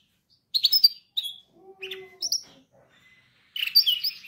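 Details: Canary song meant for training canaries, broken into short separate phrases: bright chirp clusters, a brief low steady tone, scattered high notes with gaps of silence, then a dense twittering burst at the end.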